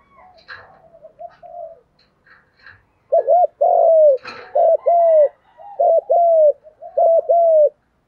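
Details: Spotted doves, male and female, calling to rouse birds in training: quiet scattered sounds and a tap, then four strong low phrases, each a short twin-hooked coo and a longer sliding coo, repeated roughly every second.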